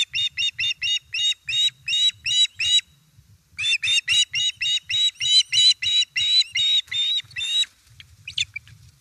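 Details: Osprey calling at its Estonian nest, 1 September 2019, late afternoon, as a fish arrives: rapid runs of high, piercing whistled chirps, roughly three per second, a brief pause, then another long excited run.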